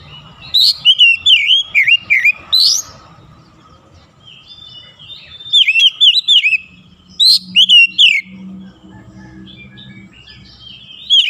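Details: Morning-sunlight singing by an oriental magpie-robin: bursts of loud, rapid, slurred whistles in three bouts, separated by quieter gaps with a faint low hum.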